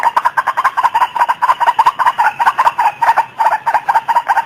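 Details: White-breasted waterhen call used as a bird lure: loud, rapid, harsh pulsed notes repeated about five times per second without pause, steady and unbroken throughout.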